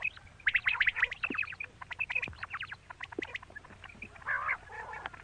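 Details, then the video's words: A female quail calls in a rapid run of short, squeaky chirps and rasping notes, several a second, with a harsher burst near the end. "Quail sound❣️Bater ki awaaz🥰female quail call"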